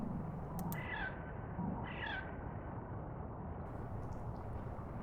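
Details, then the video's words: Crow in Hartsville, South Carolina, giving two soft, harmonic calls about a second apart, each sliding slightly downward, always given twice with whole-body effort, over steady low wind rumble. "This Crow Makes A Pretty Sound"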